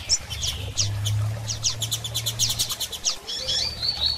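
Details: Female double-collared seedeater calling repeatedly to stimulate a male to start singing after moult; rapid series of short high chirps and buzzy notes, with a steady low hum underneath.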